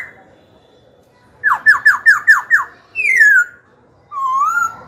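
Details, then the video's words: Young black-throated laughingthrush in a cage, singing to provoke rival birds and train young birds; a rapid series of six loud falling notes, then one long descending whistle and a mellow rising one. "Khiếu hót hay kích bổi đấu, luyện giọng bổi, chim non."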